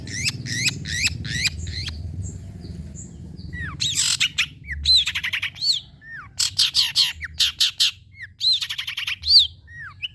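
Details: Long-tailed shrike singing, used as a model to train birds. The song opens with a fast series of rising chirps, then harsh raspy bursts, curved whistles and rattling clusters of sharp notes.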